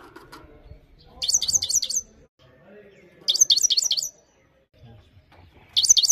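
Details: Singing Himalayan goldfinch: three separate phrases of fast, high, tumbling twittered notes, each lasting under a second, with quiet low murmuring background noise between them.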